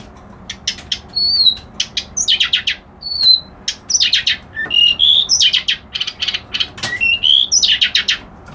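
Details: A long, varied reed warbler song: fast dry clicks and harsh chatter mixed with short pure whistles, some rising, some falling, delivered in uneven bursts over a soft background hum.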